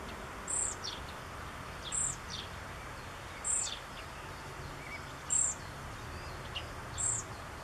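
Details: Fledgling European pied flycatcher calling for a parent in a backyard, June 2013: piercing high thin notes spaced about one and a half seconds apart, with fainter chirps of other birds in the background.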